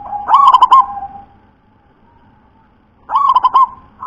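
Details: Deep-voiced local wild zebra dove in the 'ulem' singing style repeats a throaty phrase of four or five fast, bubbling coos, then pauses nearly three seconds before delivering the same rolling phrase again.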